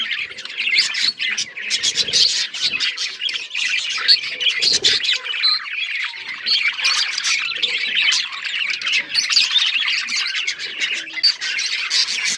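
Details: Budgerigar colony singing: a dense, continuous chatter of warbled, scratchy chirps and squawks layered over one another, with no pauses across the whole stretch.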